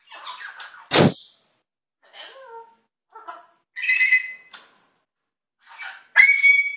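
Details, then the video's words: Pet African grey parrot mimicking sound effects, with a macaw kept nearby: a loud burst, then varied squeaky, whistled and buzzy phrases with rising and falling notes, separated by short pauses and ending in a bright, ringing whistle. "African Grey does sound effects"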